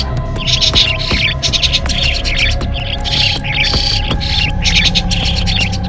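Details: A starling (also called sáo nhí or sáo ăn rong) gives bursts of harsh, chattering, squeaky notes about once a second, over a steady low hum and throbbing; offered as a lure sound for trapping birds.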